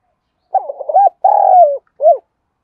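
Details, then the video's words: Spotted dove coo aimed at drawing other doves: a burbling run of short notes, a drawn-out coo that sinks in pitch, then a brief rounded hoot ending the phrase in quiet surroundings. "cu gay kich boi nhanh noi gù chuẩn gáy gọi, tiếng gáy hợp bổi giọng đồng gáy gọi"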